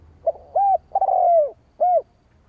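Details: Low, soft spotted dove phrase meant to provoke wild rivals: a faint clipped note, a rounded coo, a long vibrating downslurred coo, and one more rounded coo.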